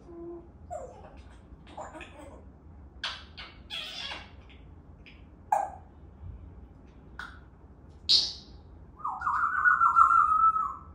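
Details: African grey parrot talking: a loud mix of short whistled notes, clicks and broadband speech-like syllables spread across the recording, ending with a sustained harmonic rising-and-falling whistle-like phrase, with quiet room background.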